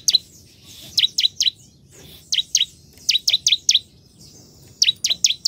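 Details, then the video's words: High, clear, downward-sweeping chips from a bar-winged prinia come in groups of two to four, with short pauses, against a quiet background. "Ciblek gacor"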